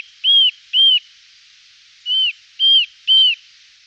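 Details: Eurasian nuthatch calling in the Wittlicher Tal in 2018: five loud, pure, whistled notes, each arching briefly. Two come close together, then after a gap three more follow at a steady pace, over a faint hiss.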